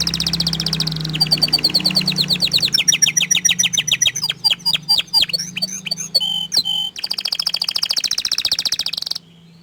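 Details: A shy canary that keeps its face hidden delivers a varied song: a high buzzy trill, then rapid rattling note series, swooping whistled notes and a final fast sustained trill, all over a faint low hum.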